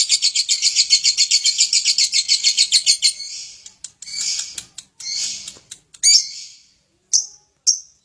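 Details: Chatty lovebird rattles off about three seconds of fast, high ngekek pulses, then shifts to broken scratchy notes and a few isolated sharp, high chirps with pauses between.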